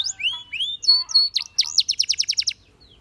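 A canary sings a fast, varied phrase: rising whistled slurs and sharp chips, then a rapid rolling trill of about a dozen repeated notes.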